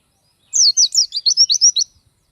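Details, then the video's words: Energetic Oriental white-eye (pleci) singing a brief phrase of its repertoire, recorded as a model for other songbirds: about eight bright, high, slurred whistles in quick succession lasting just over a second, in otherwise clean quiet. "Burung pleci gacor bongkar isian, sangat cocok buat masteran❗oriental white-eye/gacor pleci bird"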